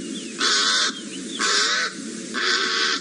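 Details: A pied crow at a buffalo kill taken over by hyenas and vultures in Sabi Sand, South Africa, on 28 August 2017, gives three harsh, raspy caws about one per second over a faint hum.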